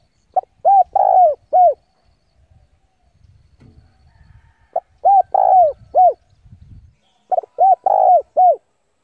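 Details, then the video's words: Caged decoy spotted dove cooing to lure rival doves in for a fight: three clear phrases of four to five arched, hooting coos, each phrase with a longer rolling middle note, separated by faint low rumbles. "tiếng chim cu gáy gọi bổi về cội để đấu của con chim cu gáy mồi giọng gáy hay cực chuẩn kích bổi"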